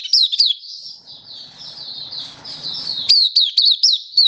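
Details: Malaysian white-eye (mata puteh) doing 'buka' singing in warm, sunny weather in Singapore, 20 March 2023. Sharp, high, downslurred chirps frame a softer warbled stretch over faint low background noise.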